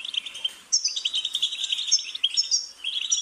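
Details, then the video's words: Goldfinch song: a brief gap, then a rapid tumbling stream of tinkling twitters and thin high whistles, densely packed and bright, with almost no background noise. "Goldfinch's Singing"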